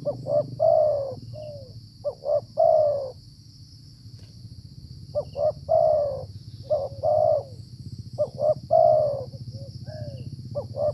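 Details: Spotted Dove (tekukur) heard while being trapped with a decoy during the flood season. Low coo phrases of short doubled notes and longer descending coos come before and after a pause of several seconds. There is a low rumbling background and a faint whine.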